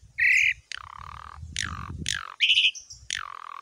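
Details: Javan pied myna in a training recording. Loud grating buzzes alternate with harsh calls that sweep sharply downward, over a low background rumble.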